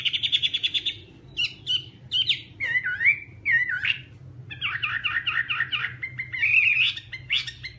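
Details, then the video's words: Chinese hwamei delivering quick staccato notes, then swooping whistled phrases and a rapid wavering trill, varied and loud throughout. "Garrulax canorus/ Birds singing"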